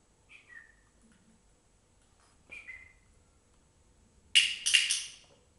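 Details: A cockatiel during a clicker-training session gives two soft, short whistled notes that slide downward, followed by a loud, harsh burst.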